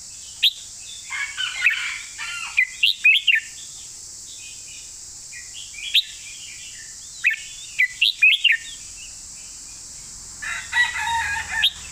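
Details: Red-whiskered bulbul singing its master song in the 'golden phrasing' style, delivered clearly: short bursts of sharp, bright, rising and falling whistled notes separated by pauses, over a constant high hiss.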